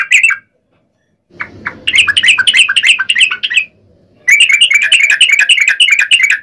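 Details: Yellow-vented bulbul singing the long 'ropel' style used as a lure, giving two extended bursts of rapid, bubbling warbles separated by a short pause.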